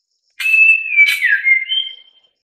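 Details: White-rumped shama delivering one rich whistled phrase, loud and close, mixing sharp broadband clicks with gliding descending whistles and a final level higher note.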